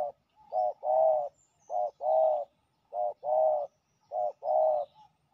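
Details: Male spotted dove defending its territory, responding to a decoy set on the ground with rhythmic, mellow cooing phrases. Each phrase is a short note followed by a longer, drawn-out one, repeated about every second, over quiet surroundings.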